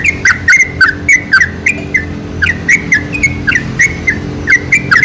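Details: Lure recording of a sooty-headed bulbul, meant to set other bulbuls singing. Short liquid, slurred notes come in quick uneven bursts of two or three, dipping and rising, with a constant low droning hum underneath.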